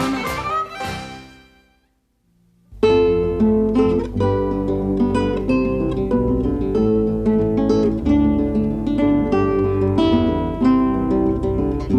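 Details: Plucked acoustic guitar music with steady strummed chords after a brief pause, and no animal voices.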